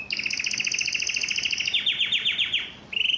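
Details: Yellow canary in full song, a rapid rolling two-tone trill followed by descending swept notes, a brief pause, then a fresh trill.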